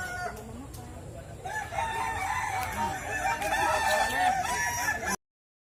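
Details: Contest Kukuak Balenggek chickens in West Sumatra, Indonesia, crowing in a busy chorus: stacked, warbling crow phrases build louder toward the end before the sound cuts off, with a noisy crowd behind.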